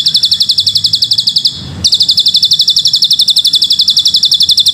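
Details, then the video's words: Hill prinia (ciblek gunung) in full, long cililin-style song, recorded as a master for young birds: a fast, high, buzzy chatter of about four sharp chirps a second, with one brief pause partway through. "Ciblek Gunung Gacor|Full Tembakan Cililin Panjang"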